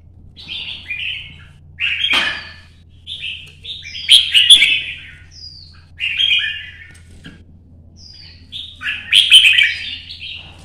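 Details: Red-whiskered bulbul singing solo in early sunlight, a 'chạy cầu' duel song to provoke rivals: repeated short warbled phrases every second or two, with sharp click-like accents, a thin whistle and a loud final flourish.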